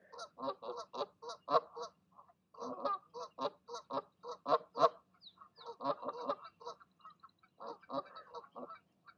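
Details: Goose parents in the evening, calling goslings to make their leap from the nest: loud, continuous volley of harsh nasal honks, some in tight clusters, with brief pauses between runs.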